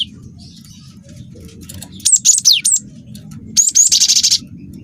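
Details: Cinereous tit, young wingko type, singing a long rolling song meant to draw out other birds. A phrase of three high, sharply falling notes, then a high whistle running into a fast, pulsing trill; low hum throughout.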